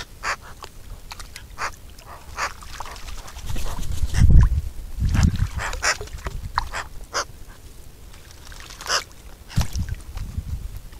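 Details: Eurasian magpie, Pica pica, giving harsh, dry, broadband chattering calls in scattered bursts, with low rumbling wind or handling noise underneath.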